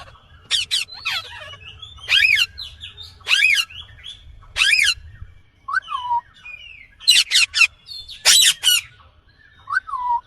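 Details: Indian green ringneck parakeet giving harsh, high screeching squawks in short bursts, several notes fast together, with brief lower bent whistles between them and long quiet gaps.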